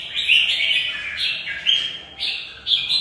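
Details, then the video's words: Mộc bộ red-whiskered bulbul in a cage pouring out its fighting song, an almost unbroken run of bright warbled whistles that step up and down in pitch with brief sharp accents. "Xem chào mào Mộc bộ vip đấu tốt mãn nhãn người xem"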